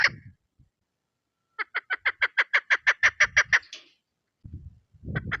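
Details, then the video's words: Short bursts of low noise surround a tidy run of about a dozen rapid, clipped chuk notes from a lure female chukar partridge, ending with louder rough sounds. "sound of keklik.. madi ki khobsort awaz. sawt shakra.. mawad shikar.. sada madi kabak..da madai awaz"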